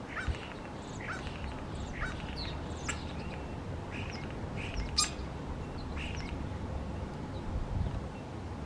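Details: Starling mimicking other birds, giving a varied run of short chirps, whistled slurs and harsh clicks in quick succession, with one loud sharp snap near the middle, against constant low background noise.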